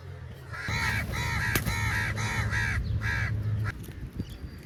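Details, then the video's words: A crow calling for food gives a quick run of about six raspy caws, then stops. A steady low hum runs beneath the calls. "Crow Calling Sound For Food"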